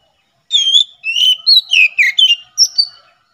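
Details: Oriental magpie-robin (kacer) singing in the loud ngeplong style, used for tutoring caged birds and luring wild ones in forest; a rich, varied run of clear whistled phrases with rising and falling notes over about two and a half seconds.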